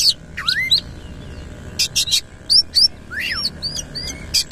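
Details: Oriental magpie-robin in active 'gacor nembak ngerol' song with tail fully fanned: sharp high whistled notes and rising slurs separated by short pauses, with brief buzzy bursts and a faint steady hum behind.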